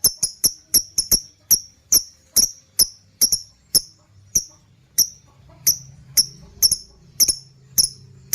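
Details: Lovebird calls used as a master recording to lure and train other birds, called ngekekekeke: sharp, shrill, very high chips repeated irregularly about two or three times a second over a faint low hum.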